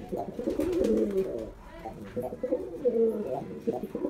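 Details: Male white domestic pigeon performing: two bouts of deep, gurgling coos with bubbling, undulating pitch, each lasting about a second and a half with a short gap between, recorded close in a small room.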